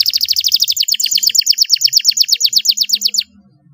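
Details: Canary song for coaxing quiet canaries to sing: a long run of rapid, evenly repeated downslurred chips, about six per second, ending abruptly, with faint low hum underneath.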